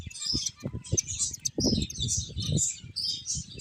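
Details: Several finches playing, giving a dense stream of short, high, overlapping chirps and tweets, with soft low thumps and rustling beneath throughout.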